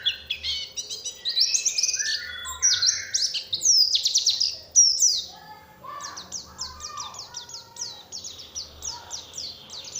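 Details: Oriental white-eye lure recording to provoke singing from other white-eyes: jumbled, shrill twittering with lower warbles, then an even series of quick, high falling chirps.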